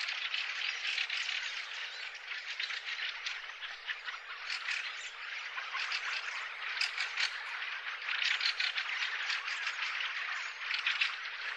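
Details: Garden flock of bramblings in April 2013 gives a long, busy stream of rapid overlapping chirps and twitters, unbroken for over ten seconds with small swells in volume.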